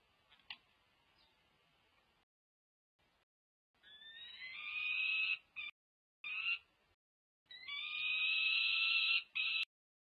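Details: Peregrine falcon chicks over five weeks old begging at a nest cam feeding, UC Berkeley, 18 May 2023, near fledging: after a quiet start, harsh buzzy wails, several drawn out for over a second, with short gaps between.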